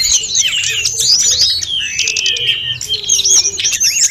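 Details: Full song of a snowy-browed flycatcher, packed with inserted phrases, as a training recording for other birds: fast high warbled notes and rising and falling whistles, with soft lower tones underneath.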